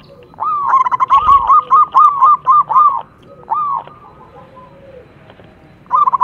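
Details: Local zebra dove (perkutut) from Indonesia singing to prompt caged males to perform: a steady series of rounded, ringing coos about two per second, a pause, then a single coo and a restart.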